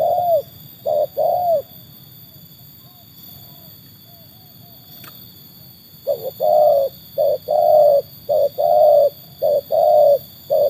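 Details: Tekukur, a trained bird tested against wild birds, gives two-part coos, a pause of several seconds, then a faster run of short-long coo pairs; faint electrical hum throughout.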